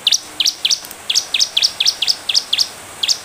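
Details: Energetic bar-winged prinia song for luring other birds to answer: crisp, high double-noted chirps repeated about four times per second, each flicking up then down, clear over low background hiss.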